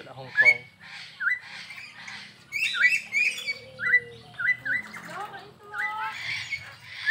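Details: At a zoo park in Perbaungan, a crested myna sings hard, mixing chattering squawks with repeated clear upslurred whistles, and a soft low murmur underneath.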